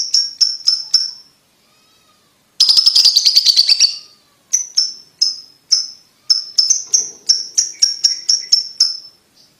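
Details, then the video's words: Ticking lovebird calls meant to prompt young birds to trill quickly: a fast run of high chirps, a pause, a dense buzzy trill, then steady repeated ticks resuming. "Lovebird Ngetik Ngetik Untuk Pacingan Paud Cepat Ngekek"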